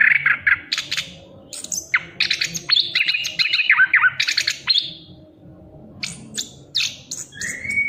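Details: Young Chestnut-capped thrush, free-flying and just past its spotted juvenile plumage, singing continuously in the ngerol style: rapid varied bursts of bright chirps, trills and slurred whistles, loud and rambling with brief pauses, over a faint low hum.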